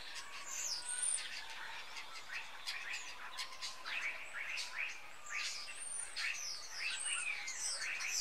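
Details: Common starlings gathering in tall fir trees in Jutland, Denmark, each autumn, eating berries before migrating; rapid jumble of squeaky chirps, rattles and sliding whistles from several birds at once.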